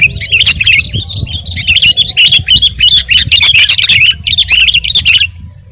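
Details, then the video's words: Vigorous singing of a sooty-headed bulbul for tutoring and provoking caged birds: a steady stream of bubbly, tumbling chirps lasting about five seconds before stopping, faint low noise beneath. "masteran dan pancingan suara burung KUTILANG GACOR"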